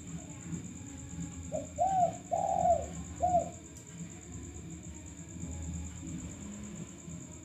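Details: A male spotted dove used as a lure gives a short series of soft, low cooing notes, with steady background hum and a thin high tone running throughout.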